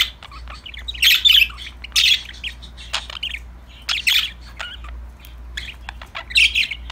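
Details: A flock of budgies sings and plays, with grouped bursts of harsh squawky chirps about once a second, separated by short quieter gaps with a few light ticks. A low hum runs throughout.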